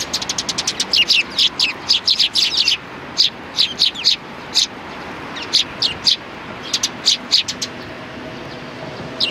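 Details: A group of sparrows recorded on 29 May 2019, giving rapid strings of crisp chirps, fast and crowded at first, then sparser single and paired notes spaced about every half second.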